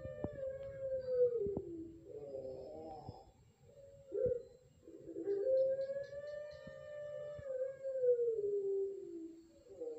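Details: Competition-line Pelung turtle dove, Central Java, Indonesia, Utama/Madya class rhythm: repeated phrases of short wavering coos, each followed by a long sustained hooted note that sags downward, with light clicking in the background.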